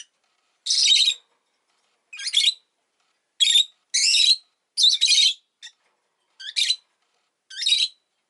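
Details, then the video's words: Harsh, buzzy chirps from a pet rosy-faced lovebird whose egg has arrived, given as seven or eight separate bursts, roughly one a second, some split into quick doubles. "Lovebird Chirping Sounds"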